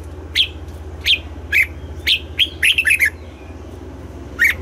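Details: Red-whiskered bulbul singing in the morning in double-note style: a few separate sharp chirps about half a second apart, leading into a quick warbled run, then one last chirp, over a steady hum.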